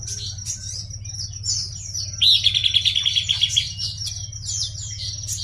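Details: Buff-breasted babbler in energetic song: busy, high twittering, then a quick run of about ten sharp, evenly spaced notes over roughly a second and a half, with a steady low hum running underneath throughout.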